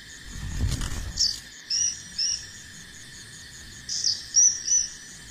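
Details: Bar-winged prinia fledgling learning to fly utters a series of high, slurred, slightly rising chirps in irregular bursts, with a brief low rustle at the start and insects droning steadily throughout.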